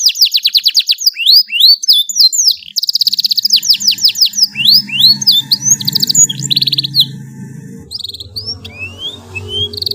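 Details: Canary singing a lengthy master song for teaching juvenile birds, with rapid rattling trills and sweeping whistles, faint low background hum beneath, and quieter scattered notes toward the end.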